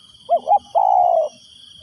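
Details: Decoy spotted dove luring wild doves with one phrase: two short rounded coos, then a single long even croo that fades. A faint steady high drone sits behind it.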